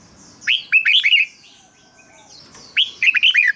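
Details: Red-whiskered bulbul song for rousing caged birds: two short phrases of rapid rising-then-falling whistled notes, about two seconds apart.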